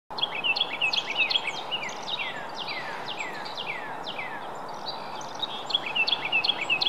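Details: A Carolina wren sings in a residential area of Mendota Heights, Minnesota: loud, rolling phrases of quick downward-slurred whistles, repeated about two or three times a second, over a steady background hiss.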